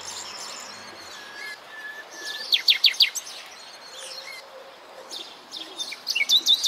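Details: Common nightingale singing conspicuously in shady ground where orchids are in flower: a varied strophe with steady low whistles, then a burst of rapid sharp repeated notes, a pause, and another fast run of loud staccato notes.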